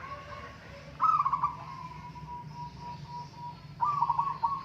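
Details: Zebra dove of local stock in a singing contest, a rich trilled coo trailing into soft drawn-out notes, then another trilled phrase, with background hiss.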